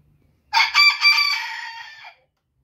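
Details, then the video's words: Booted bantam rooster crowing: a single loud, harsh crow of about one and a half seconds, opening in three rough pulses and then trailing off in a long, slightly falling, buzzy note, with near silence around it. "Booted bantam rooster crowing"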